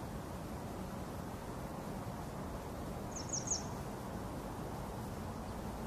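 A grey wagtail gives a quick burst of three or four sharp, high metallic notes, over steady low rushing noise, likely flowing water.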